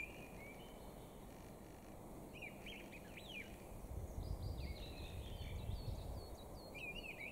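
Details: Mistle thrush song on 13 April 2021: short fluty, warbled phrases separated by brief pauses, sung over a steady low rumble of wind or distant traffic.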